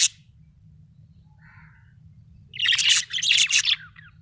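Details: A happy budgerigar chirping: a brief high note, a soft chirp, then a loud run of rapid, scratchy chattering warble in the second half, against a low constant hum.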